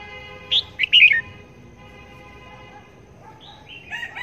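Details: Decoy red-whiskered bulbul, a trapping bird being tested to see whether it calls wherever it hangs. It gives a short liquid phrase of four chirpy notes, then falls silent, and faint thin notes follow near the end.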